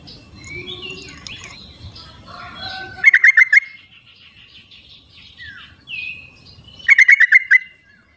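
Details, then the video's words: Two bursts of rapid bubbly pulsed notes, about four seconds apart, from wild yellow-vented bulbuls calling back and forth, with softer whistles and chirps from other birds around them. "suara trucuk di alam liarnya buat panggilan trucuk yang tidak mau bunyi"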